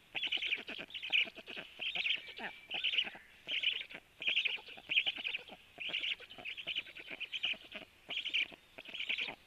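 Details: Black stork nest scene at 12:01, the male feeding the young: repeated rasping, trilling bursts about every second for nearly ten seconds, uneven in length, with soft ticking below.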